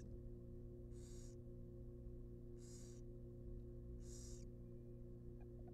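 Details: Wild barn owl nestlings in a monitored nest box, being fed a rabbit, give three harsh, hissing screeches at about 1.5-second intervals over a steady low electrical hum.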